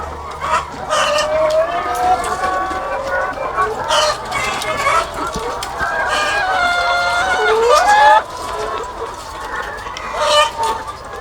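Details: Thousands of laying hens calling on a farm, long wavering cackles rising and falling, one swelling call climbing near the end, set against a thick murmur of clucks.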